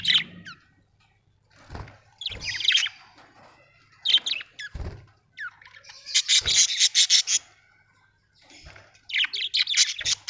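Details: Budgerigars, several birds, chattering in repeated bursts of harsh, buzzy squeaks and rapid clicking notes, broken by short silences and a few dull knocks.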